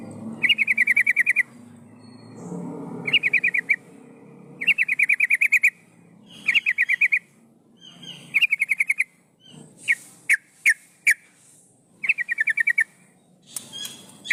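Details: Breeding-condition female yellow-vented bulbul calling males as a lure: short bursts of fast ringing chips alternate with brief pauses, and a few isolated sharp clicks come near the end over faint low background noise.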